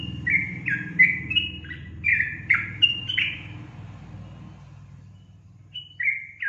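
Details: Sooty-headed bulbul (trucukan) in gacor song: quick bubbly whistled notes in a chattering run for about three seconds, then quiet with a low background rumble before two more whistles.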